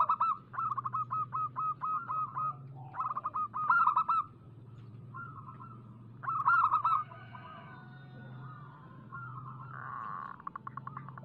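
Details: Local zebra dove song used as a lure to set other doves singing: series of soft, rapidly pulsed cooing phrases, each a quick rattle of notes then a longer level coo, repeated with short pauses over a steady low hum.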